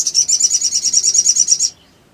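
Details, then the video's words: Sooty-headed bulbul, a lively singer used as an emotion-triggering lure to provoke silent birds into song, giving a fast, high, even chattering trill of about fourteen sharp notes over under two seconds, then stopping abruptly. "SOGON GACOR NEMBAK NGLEPER❗ PANCINGAN EMOSI SOGON MACET BUNYI DAN BAHAN IJOAN CEPAT NGRIWIK"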